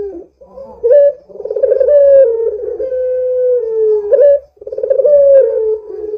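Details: Lively Barbary dove (puter), used as a lure to get other doves calling: low, hollow coos that open with a rapid rolling stutter, then swell into long sustained notes sliding slightly downward, repeated in two phrases over a faint low hum.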